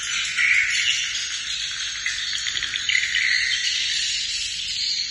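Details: Swiftlets inside a bird nest house in Battambang make a dense, unbroken chorus of high, dry chirps and twitters overlapping into a steady hiss-like wash.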